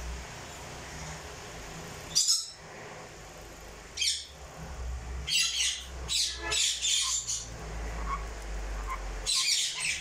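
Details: Crimson-bellied conure uttering scattered rasping squawks, single at first, then a quick cluster of grating bursts near the middle, followed by a final harsh call after a pause, over a steady low background hum.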